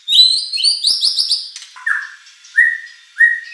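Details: Murai batu (white-rumped shama) singing to provoke rival competition birds: a high, trilling twittering phrase, followed by three separate clear rising whistles spaced under a second apart.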